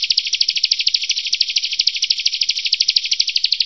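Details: Bar-winged prinia song from a training master for competition songbirds, a fast, steady stream of high ticking notes, about three per second, continuing without break through the whole stretch.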